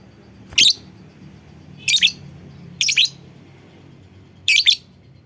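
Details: Lovebird calling to coax other lovebirds into calling: four harsh, high doubled chirps at uneven one- to one-and-a-half-second gaps, clear above a soft low hum.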